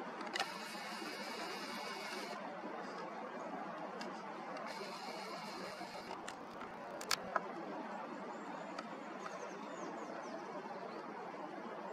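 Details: Steady background hiss with two bursts of high mechanical whirring and a few clicks, like a camera zoom motor; no animal voice stands out.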